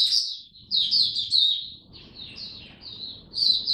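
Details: Oriental white-eye (mata puteh) held in a cage sings buka style: bright, high, slurred twitter phrases in quick bursts, each rising and falling.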